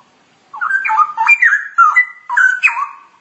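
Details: Straw-headed bulbul in ngoceh style, pouring out a loud, melodious, bubbling warble of slurred whistled phrases that rise and fall, broken into three bursts with brief pauses, on a clean quiet background.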